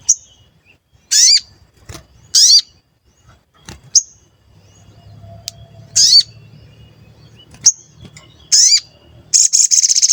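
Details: Lure call of a sooty-headed bulbul, given as 'cuit cuit', meant to provoke wild or captive bulbuls into singing and answering. A series of loud, clipped, rising chirps every second or so, mixed with sharp clicks and a low hum partway through.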